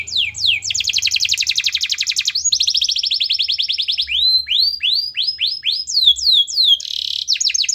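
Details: Loud, constantly singing canary, played as a lure to get a reluctant canary to sing: fast rising whistled trills, a long buzzy roll, then a series of upswept notes and rapid flourishes, continuous throughout.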